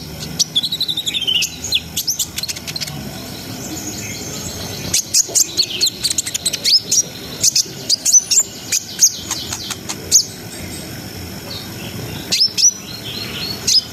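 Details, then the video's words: Brown-throated sunbird singing, a 'ngriwik ngerol sambung nembak' performance to raise breeding arousal in untrained birds; bursts of thin high chirps and slurred whistles, a quieter stretch midway, then renewed rapid sharp notes. "SUARA KONIN GACOR NGRIWIK NGEROL SAMBUNG NEMBAK !! COCOK BUAT NAIKNA BIRAHI BAHAN"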